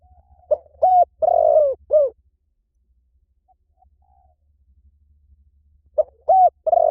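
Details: Mellow, low-pitched cooing of a spotted dove. A brief note, a steady coo, a long vibrating roll and a downslurred last note form each phrase. The phrase repeats after roughly four quiet seconds, over a faint low rumble.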